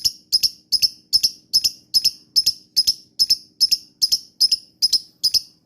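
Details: Lovebird call used as a lure to provoke other lovebirds into answering and chattering: sharp high chirps in close pairs, repeated steadily about every third of a second with no other sounds.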